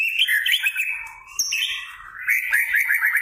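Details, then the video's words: White-rumped shama singing loudly in captivity, a dense run of warbled whistles, fast chattering notes and slurred glides that rise and fall with barely a pause. "pancingan murai batu gacor"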